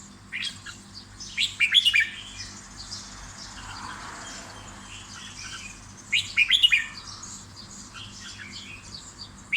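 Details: Red-whiskered bulbul kept in a cage gives brief whistled phrases of a few quick notes, separated by about five seconds of quieter background chirping.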